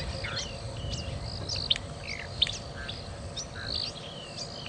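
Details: A male Pin-tailed Whydah in long-tailed breeding plumage sings on a sunrise safari drive on 28 February 2017, seeking attention and showing off to females, with jumbled high squeaky chirps and slurred whistles over a low wind or engine rumble.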